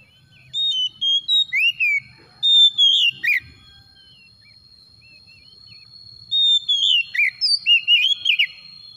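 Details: Oriental magpie-robin (kacer) song used as a lure to trigger a quiet bird into singing: two bursts of loud, clear whistled phrases with slurred up-and-down notes, a long pure whistle opening each burst, over a steady high hum.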